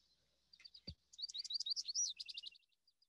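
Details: American goldfinch (Spinus tristis), song.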